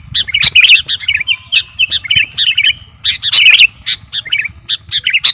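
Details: Sooty-headed bulbul (kutilang garuda) in lively, persistent song, used as a master recording to train birds or lure them in. Rapid bubbly chirps and short slurred whistles follow in quick bursts, with brief pauses between phrases.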